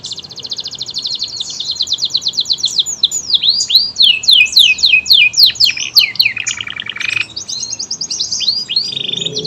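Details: Canary of local, AF or AFS type singing loudly: fast high buzzy trills and rolls, then a run of quick downward sweeps, a lower rattling trill and a final rapid high trill, delivered continuously.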